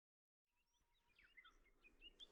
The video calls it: シマセンニュウのさえずり Chirping of Middendorff’s Grasshopper Warbler